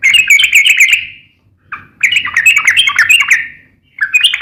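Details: Trucukan, or yellow-vented bulbul, singing gacor and ngeplong: a chattering, warbling run, a short pause, then a longer fast tumbling phrase of slurred notes, ending with another brief burst.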